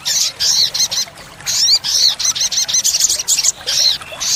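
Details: Olive-backed sunbird (sogon) singing continuously in a full 'tembakan' burst style, recorded for training caged birds: dense, rapid streams of very high, sputtering, chattering notes broken by brief gaps.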